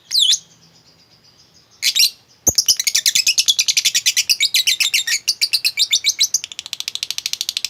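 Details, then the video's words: Lovebird heard as a lure for quiet birds: a couple of shrill squeaks, then a long fast chattering ngekek trill of rapid buzzy notes, speeding into a dense rattle toward the end. "lovebirdmu loyo malas bunyi jadi gacor ngekek panjang seketika dengan pancingan ini"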